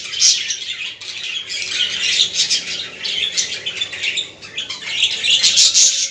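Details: Budgerigars chattering to stimulate other budgies: loud, fast, overlapping chirps and squeaky warbles repeated several times a second, with a brief quieter lull before a lively final stretch.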